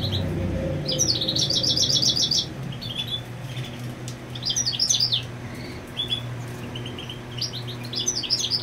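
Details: Goldfinch marking territory beside the nest where the female sits; a fast high trill followed by scattered twittering phrases and chirps, with some low rumbling noise at the start and a steady hum.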